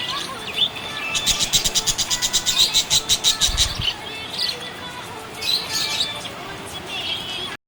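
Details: Happy budgerigar chirping, with a burst of rapid clicking ticks around the middle, repeated about three times a second, then softer warbled chirps and squeaks, plus a brief low thump.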